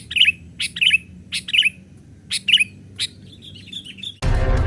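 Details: Young sooty-headed bulbul playing on a branch, used as a lure for wild birds: bright chirped notes in pairs and short runs, rising then falling, about six bursts, then a loud rushing noise at the end.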